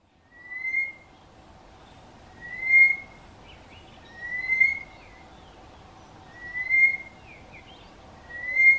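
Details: A Southern Boubou calls to its mate, which does not reply, with clear, mellow whistles roughly every two seconds and faint higher chirps slipped in between, over a steady hiss. It called like this for about three minutes.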